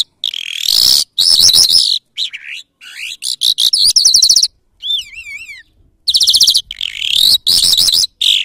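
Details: Mashadi-style song from a lark (jal): rich, fast-changing phrases of rattling trills and buzzy notes, a clear wavering whistle near the middle, then more dense chattering runs, all loud and close.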